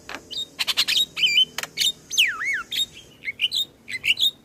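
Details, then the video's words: Javan myna singing in the morning: dense run of harsh rasping bursts mixed with clear whistles, including a long slurred whistle that swoops down then rises, followed by short bright chirps. "Pancingan jalak Kebo pagi hari"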